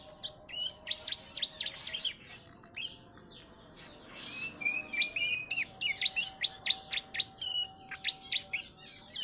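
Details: Young bar-winged prinia, three months old, trained on ciblek song, gives rapid high chirps and thin clicks in a dense run, with one drawn-out whistle midway, about three to four notes per second, over a constant faint hum.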